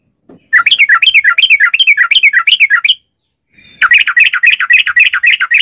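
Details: Sooty-headed bulbul in rapid rolling 'ropel' song, played as a lure for other bulbuls: two long runs of fast, rising-and-falling chattered notes, about four per second, separated by a short pause.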